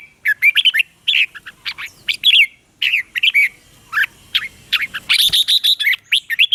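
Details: Red-whiskered bulbul singing, a recording meant for training caged birds or trapping: rapid, cheerful whistled and warbled phrases, each a quick rising-falling flourish, repeated almost continuously with short pauses.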